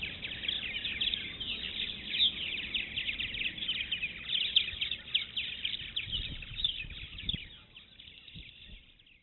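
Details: Many purple martins chatter together by the Maurice River, a constant high twittering mass of overlapping chirps that gradually fades toward the end, with some low background rumble.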